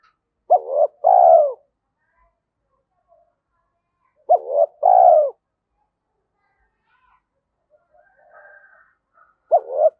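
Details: Decoy spotted dove coos in steady phrases roughly every four seconds, each a short hooked double note and a drawn-out, falling coo, with faint soft sounds in the gaps.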